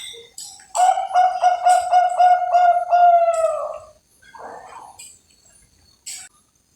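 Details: Captive Bangkok-type zebra dove from a breeder in Java delivers a loud, fast, stuttering trill of low cooing pulses lasting about three seconds. It ends in a drawn-out note, followed by a short rasp and a faint chirp.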